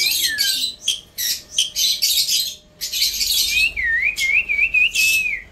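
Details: Indian ringneck parrot, likely a pet, giving a run of harsh, noisy screechy bursts in quick succession, then a wavering whistled trill that rises and falls several times, with a low hum throughout.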